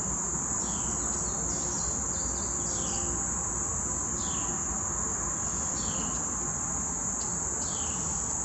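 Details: A fledgling bald eagle near its nest at Bordentown, New Jersey, calling for its mother to feed it: thin, high, down-slurred chirps about every second, over a loud, steady insect drone.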